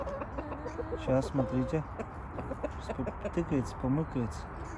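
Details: Rooster that attacked the speaker earlier today, clucking in a series of short, low, harmonic notes in quick bursts, with a man talking over and between the calls and steady background noise.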